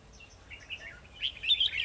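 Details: Red-whiskered bulbul used as a decoy during trapping, singing to challenge rivals to fight, 2 December 2020: short bright chirping phrases, growing louder and busier toward the end, over a quiet background.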